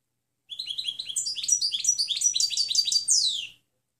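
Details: Clean European goldfinch song meant for tutoring other birds: quick tinkling twitters climbing into bright chattering trills, ending with a sweeping downward note after about three seconds.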